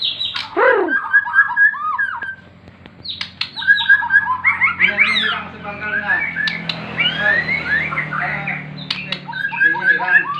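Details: White-rumped shama from Borneo, a hobby songbird, singing varied whistled phrases and rapid chattering notes with sharp clicks, some background noise and low hum throughout.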